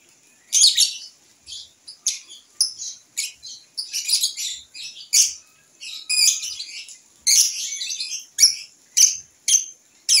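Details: Young lovebird still learning its voice, recorded on a porch during a singing test: a series of short, sharp, high chirps and squeaky bursts at irregular intervals, roughly one a second, with quiet gaps between.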